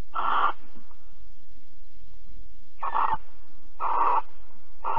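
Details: Hoarse, hissing shrieks from a barn owl during mating and cuddling at Alphen, 22 April 2020, 21:37. Four short bursts arrive, the first alone and then three in quicker succession about a second apart.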